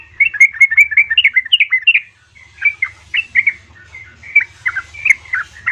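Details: Female yellow-vented bulbul calling the male, played to stir caged bulbuls into song: a fast cluster of liquid chirps, a short pause, then spaced bubbly notes over low hum.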